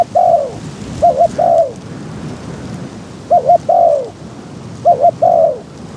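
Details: Spotted dove used as a trapping decoy for wild doves, heavy wind; repeated phrases roughly every one and a half to two seconds, each two clipped coos then a longer fading coo, over rushing background.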